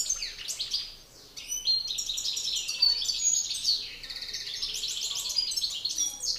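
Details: Male European goldfinches in a song battle, a master singer versus an excited challenger: torrent of high liquid twitters, buzzy rattles and tinkling notes, a brief lull early, then sustained rapid chatter.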